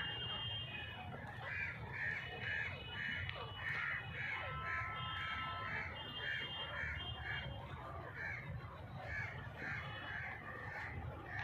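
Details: A long sequence of the grey francolin's call, locally Dhakni teetar: quick, evenly paced ringing notes, a faint steady whistle-like tone running alongside, and a heavy low rumble throughout.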